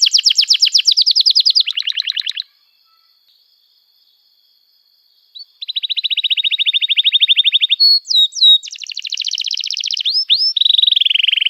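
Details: Emotional, long-phrased canary song used as therapy for silent canaries and a lure for youngsters: fast high trills, a three-second pause, then a long rolled trill, sweeping whistles and buzzy rattles.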